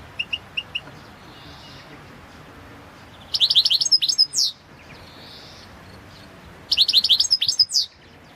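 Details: European goldfinch, Carduelis carduelis balcanica, recorded for the 2022 World Championship in Goldfinch Song contest: soft spaced chirps, then two dense, loud bursts of rapid high tinkling twitters about three seconds apart.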